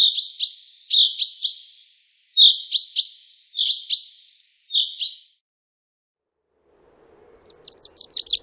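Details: Chaffinch recorded in the Wittlicher Tal in 2018, giving several short bursts of quick chipping notes in clustered phrases. Near the end, a different run of higher, faster notes rises over a faint low hum.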